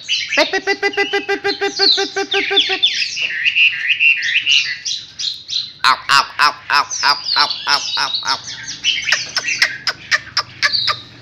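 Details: Up-close recording of a newly wild-caught Chinese hwamei: a fast series of nasal, harmonic-rich repeated notes opens, then tumbling whistled phrases give way to sharp clicking strokes and short bright notes in a rich, varied song.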